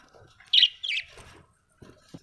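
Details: Budgerigar giving two quick, high chirps in close succession, then a few faint taps in an otherwise quiet room.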